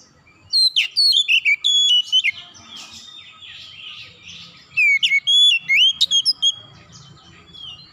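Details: Kacer, the Oriental magpie-robin, calling in two lively runs of loud whistled slurs and chips, with quieter scratchy warbling filling the stretch between them over a low hum.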